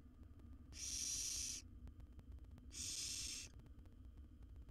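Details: Rasping, snore-like hisses from a wild barn owl nestling in its nest box while it gulps down a rat, two steady bursts near a second long with a pause between, soft clicks and low hum in the background.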